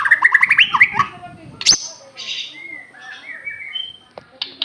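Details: Aceh white-rumped shama singing: a quick series of bright, rising whistled notes, then a sharp click and softer, drawn-out whistles and chatter.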